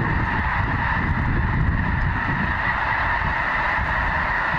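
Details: Snow geese by the thousands at Goose Pond Fish & Wildlife Area, Linton, Indiana, produce a wall of continuous honking, almost deafening when the large group is together, with a low background rumble.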